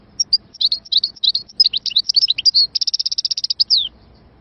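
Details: Algerian goldfinch from Moknine giving a short song: scattered high chirps quicken into tumbling twitters, then a fast even trill of about a dozen notes ending in a downward slurred note.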